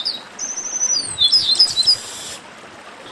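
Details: Brief outburst from Chestnut-capped blackbirds, part of a baderna used to warm up singing birds: a thin, level high trill that leads into a tangle of bright whistles, then fades to near quiet.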